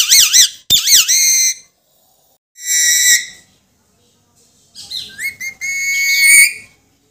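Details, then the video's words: Pet Alexandrine parakeet talking: loud, harmonic-rich parrot vocalizations with wavering, speech-like syllables, a long level tone and rising and falling whistled phrases, separated by short silences; indoors, no other sounds. "Alexandrine talking parrot"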